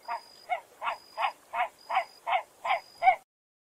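Great Crested Grebe giving nine harsh, grating barks in a steady series, about three per second, with a faint thin high tone in the background.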